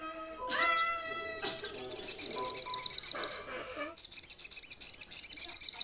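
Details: Sogon sunbird in young trotol plumage, calling to companions. A short upward sweeping note, then long, rapid, high, shimmering trills of quickly repeated notes. A brief break separates the two trill bursts.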